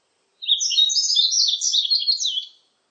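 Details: Yellow-throated bunting song: a rapid, high twittering phrase of about two seconds, jumbled chirps and trills run together without pause, against a quiet background.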